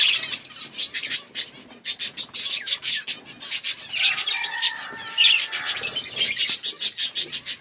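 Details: Aviary budgerigars in a forest-like enclosure chirp in quick sharp high notes, repeated several times per second in irregular runs, with a brief lower warbled passage midway.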